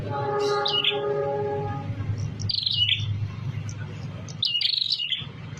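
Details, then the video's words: A tame visiting prinia singing actively, giving bursts of high sharp chirping notes roughly every two seconds, over a low rumble, with a brief harmonic honk-like tone early on. "prenjak tamu Gacor jinak"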